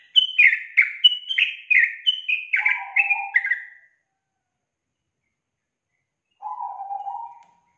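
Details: Lure song of a yellow-vented bulbul, played to stimulate a lazy young bird to sing: about eight quick, clear notes each sliding downward, a throaty lower phrase joining midway, a pause, then a short low warble. Clean recording.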